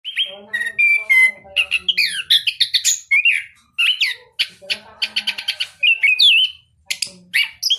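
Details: A caged orange-headed thrush from a breeder in southern Malang, praised for crystal-clear voice quality, sings a rapid, varied stream of rich whistles, slurred notes and buzzy chatter, barely pausing between phrases.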